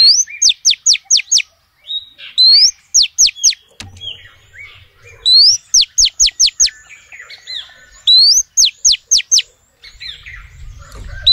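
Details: A female oriental magpie-robin calls to males with a series of phrases, each a rising slurred whistle then four to five rapid, steeply descending notes, repeated about four times with softer twittering between.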